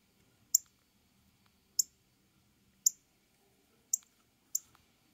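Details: Male Northern cardinal calling to a mate with five crisp, high, clicking chips about one a second, each note abrupt and brief, separated by near silence with a soft low hum underneath.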